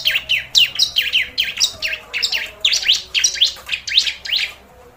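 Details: Lure recording of bar-winged prinia for attracting birds: fast series of high, steeply downslurred chirps, several per second, grouped in short bursts with a slight low hum in the background.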